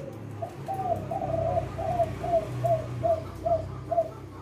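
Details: A spotted dove (leopard turtle dove, "kuk 6" type) gives a soft, hollow cooing phrase of about eight low notes, the later notes short and evenly spaced, over a low background hum.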